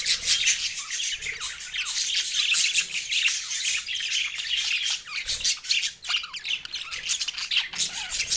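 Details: Green Australian budgies, happy while eating a meal, chatter continuously: a dense, bright wash of scratchy chirps and squeaks from many birds at once, with no pauses and little variation in loudness.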